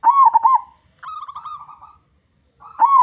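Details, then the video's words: Loud local Indonesian zebra dove used as a singing lure for other doves: one rolling, bouncing coo phrase, then a steady, slightly wavering held note, and the start of another phrase. "Perkutut Lokal Gacor Suara Besar Cocok Untuk Pancingan Semua Jenis Burung Perkutut Agar Cepat Bunyi"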